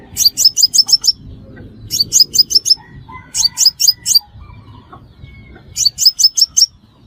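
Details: Sunbird calls for use as a trapping lure: four repeated bursts of five to seven rapid, thin, high-pitched chips, roughly every two seconds, with faint low rumble between.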